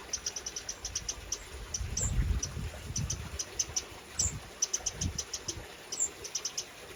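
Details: UK wren parents with fledglings, spring 2023, keeping the young together: rapid runs of sharp high ticks, repeated in bursts with short gaps, while low rumbling noise swells midway through.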